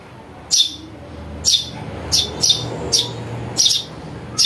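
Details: House sparrow chick calls used to lure birds: short, bright chirps, single or paired, spaced roughly half a second to a second apart over a low hum.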